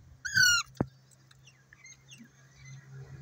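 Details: Indian ringneck parrot in a tree, in a happy mood, gives one loud, harsh, slightly falling squawk, followed by a click and faint chattering over a low steady hum.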